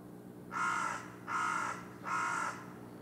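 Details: Two carrion crows, considered new rivals, land on a utility pole by a factory and call at about 17:37 on 14 February: three harsh, hoarse caws, each about half a second, under a second apart, over a faint low hum.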